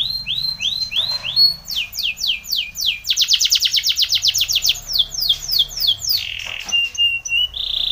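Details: A canary, labelled both as a Spanish Timbrado and as a Belgian canary, sings a training song: a rapid, metallic run of repeated high notes shifting into fast rolling trills and bright whistled phrases. Finding: Belgian canary.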